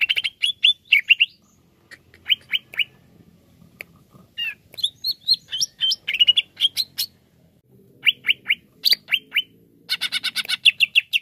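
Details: A greater green leafbird, as therapy audio for birds slow to sing, sings a lively, varied run of clear whistled notes and quick chirpy phrases, ending in a burst of fast, buzzy chatter.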